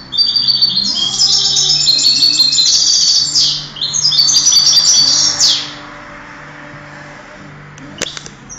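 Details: European goldfinch singing in a 2008 contest: two long bursts of fast, high, tinkling and buzzy twitters separated by a brief pause, then near silence with a faint low hum.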